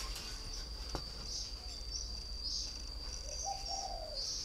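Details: Near the end, a single low, rounded cooing phrase from a caged spotted dove, a three-year-old decoy bird in northern Vietnam, against a continuous shrill insect tone and pulsing buzzy chirps.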